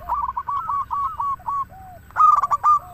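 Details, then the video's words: Local zebra dove in steady song meant to spur other doves into singing: a rippling run of short warbled coos, a pause with soft slurred notes, then a louder stuttering burst of coos. "Perkutut lokal gacor suara paling ampuh untuk pancingan burung perkutut agar bunyi"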